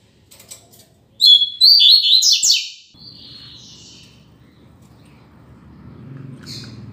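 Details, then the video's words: Captive rusty-collared seedeater, one of a pair kept as tutor birds for teaching song: a brief burst of high, rapid twittering phrases lasting about a second and a half, then quiet with low background hum. "Coleiro Professor Aprendizado"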